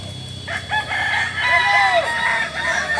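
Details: Kokok Balenggek roosters crowing together during a joint training session at Ampang Kualo, Solok city, West Sumatra; overlapping multi-syllable crows with stepped, arching notes, several birds sounding at once.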